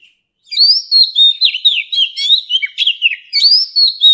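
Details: Mature wild-caught Oriental magpie-robin song, used to tutor young birds. Brief silence, then a continuous stream of quick sweet whistles, upslurs and down-slurred notes repeated about four times a second. Clean, with no background noise.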